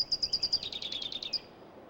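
A California towhee sings a run of about a dozen sharp, metallic chips that speed up slightly and drop in pitch partway through. The background is quiet.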